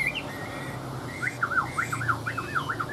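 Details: Chinese hwamei, a caged songbird from Vietnam in breeding condition: a series of mellow, dipping whistles repeated about four times per second, each dropping and rising again, over low background hum.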